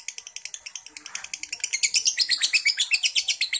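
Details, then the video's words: Yellow pied lovebird of the fighter type singing a fast run of buzzy high twitters that grows louder and denser midway, pulses coming several per second, faint room noise beneath. "Yang Kuning Yang Asik l Lovebird Paskun Fighter Semi Konslet"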